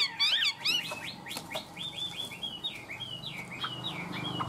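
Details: Chinese hwamei, a tame caged songbird, delivering high 'cao cầu' song: a few loud swooping whistles, then a fast series of thin, high, wavering phrases strung closely together.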